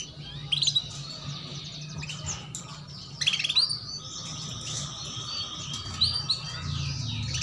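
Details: Female canary chirping to coax young canaries into song; clusters of sharp high chirps in bursts about every three seconds, with a steady thin buzzing tone and low rumbling background throughout.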